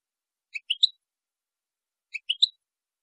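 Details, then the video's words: European goldfinch, from a high-quality recording made to teach song to young goldfinches and hybrids: two identical groups of three quick, rising, tinkling notes, about one and a half seconds apart, on a silent background. "لغة الحسون لتعليم وتلقين فراخ الحسون والهجين"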